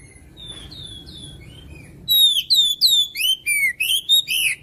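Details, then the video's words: Oriental magpie-robin singing actively: soft distant whistles at first, then a loud, quick run of sweeping whistled and chirping notes about three per second. "Burung Kacer Gacor Video Asli Suara Asli"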